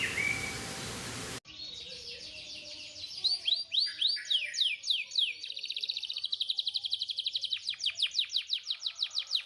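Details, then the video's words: Canary master song, meant for tutoring canaries that rarely sing: after a short burst of hiss, a rapid run of high sweeping notes rolls into a long, fast, even trill. "Suara Masteran Kenari Gacor Cocok Buat Burung Kenari Yang Susah Bunyi"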